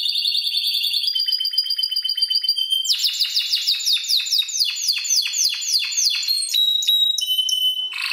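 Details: Spanish Timbrado canary at seven months, trained only with electronic timbrado voices, gives buzzy rolled tones, then a rapid series of descending swept notes, ending with a thin whistle.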